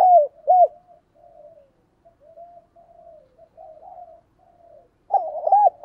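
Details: Spotted dove decoy bird, two short arched coos, then a run of soft low murmuring notes for several seconds before a loud quick cooing phrase resumes.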